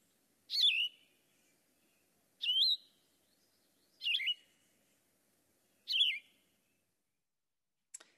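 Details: A Yellow-throated Vireo, a common treetop bird of southwest Ohio heard more than seen, sings short, burry, slurred phrases, one about every two seconds, with quiet pauses between them; a faint click ends the recording.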